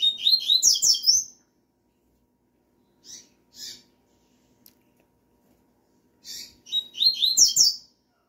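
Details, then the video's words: A male rusty-collared seedeater sings in response to a female's call, giving two bright, rapid twittering phrases about six seconds apart with a few soft high notes between them. "coleiro cantador no piado da femia"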